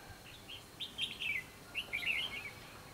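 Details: Red-whiskered bulbul in fighting song during a trapping session, 24 December 2015. Two quick phrases of lively whistled notes rise and fall, separated by a brief pause, over faint background hiss.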